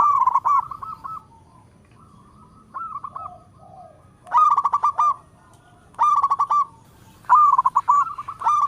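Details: Zebra dove, a local perkutut bird, singing and calling in all directions: repeated brief phrases of quick, bubbling coos ending in a trill, four loud bursts spaced one to three seconds apart with softer notes between.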